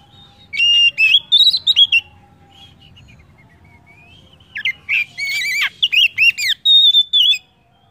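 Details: Lure song of an Oriental magpie-robin meant to get other birds singing: a short phrase of bright whistled notes, a quiet gap of nearly three seconds, then a long loud sequence of rich rolling whistles ending in a steady high whistle.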